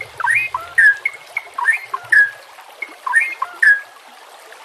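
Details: White-rumped shama song for training, over trickling water: short whistled phrases with a downslurred note repeated about every second.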